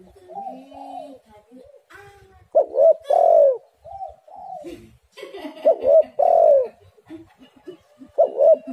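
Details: Spotted dove cooing, used as a lure recording to draw doves and set them singing: loud low cooing phrases of two or three notes with a drawn-out final coo, repeated in bursts, with softer distant cooing between.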